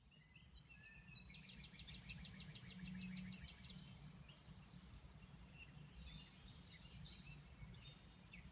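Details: A Northern parula, recorded around May 21, 2017 as it returns, gives one rising, buzzy trill of quick repeated notes over about two seconds. Low rumbling background noise and faint calls from other birds follow.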